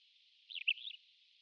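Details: A Pied Wheatear, a rare passage migrant on Japan's Hegura and Tobi islands, recorded from September 2003, gives one brief, scratchy, warbled phrase of about half a second, with quick high chirps and a sharper middle note.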